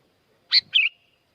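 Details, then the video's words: Sooty-headed bulbul recorded at Curug Agung, Subang, West Java, Indonesia, to coax silent birds into song: one bright sharp note, then a rapid bubbly phrase sliding downward, in a quiet setting. "Kicau asli kutilang ribut gacor pancingan buat kutilang macet bunyi"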